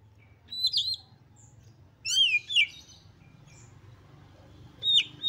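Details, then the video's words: Excited Oriental magpie-robin singing to provoke rivals into song, giving three separate bursts of bright, twisting whistles with long quiet gaps between them over a faint low hum. "KACER GACOR FULL EMOSI TINGGI"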